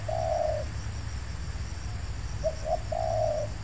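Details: Cooing spotted dove in an oil palm plantation during luring: one long mellow coo, a pause, then two brief notes leading into another drawn-out coo, over steady low-frequency hum.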